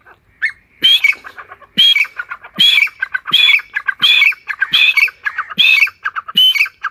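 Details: Forest partridge calling continuously: repeated loud, scratchy phrases of quick clipped notes, each led by a shrill whistled note, recurring about every three-quarters of a second.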